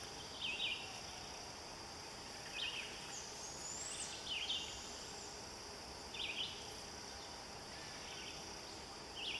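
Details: Young barred owlet, the eldest of two, perched on a branch in a tree and calling for its mother: faint, very high-pitched rasping bursts repeated every one to two seconds over steady hum and background noise.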